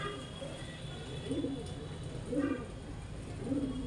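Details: Pigeon cooing during mating: three low, soft, rounded coos, each swelling and falling, spaced about a second apart over a steady low hum of background noise.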